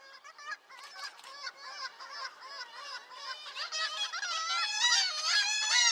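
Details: Black-legged Kittiwake colony on a headland during the chick-feeding season, birds agitated and circling: many overlapping nasal, wailing 'kitti-wake' calls rising and falling, growing denser and louder toward the end.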